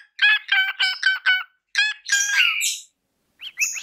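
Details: Parrot singing into a microphone, producing a stuttering run of nasal, buzzy syllables, a drawn-out raspy descending note, a pause, then a few squeaky rising whistles.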